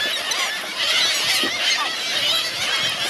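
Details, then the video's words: Hungry seagull flock at Helløya, 2017, with high thin squeals and whining notes packed densely together, a steady shrill clamor with no gaps. "Hungry seagulls"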